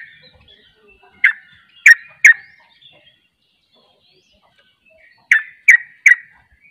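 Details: Rapid 'ropel' song of a sooty-headed bulbul (trucuk): a triplet of loud, abrupt notes, a pause of about three seconds, then another triplet. Faint twittering sits in the background.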